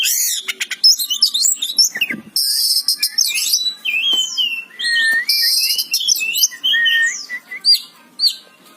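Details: Oriental magpie-robin in sustained gacor song, with a fast medley of looping whistles, buzzy high trills, and sliding notes falling to mid pitch, delivered in bursts with quick clicks between them.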